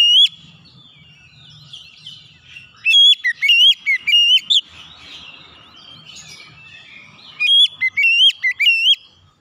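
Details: Oriental magpie-robin song used to lure other birds into singing: two bursts of loud, pure whistled notes in fast rhythmic phrases, separated by several seconds of softer warbled chatter.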